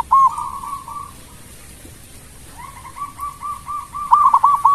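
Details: Local Indonesian zebra dove song, melodious and meant to make rival birds respond fast: an opening coo and level trill, a quiet gap, then a soft run of pulsing notes building into louder stuttered coos.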